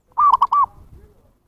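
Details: Single zebra dove phrase used to lure wild birds: a long arched coo, a short clipped note and another arched coo, fading into a faint low rumble.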